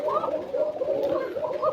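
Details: A pair of Koka pigeons in a farm loft gives thin, fairly high coos that swell and fade in quick succession, several every second, echoing slightly; the calls are prized as fine and thin.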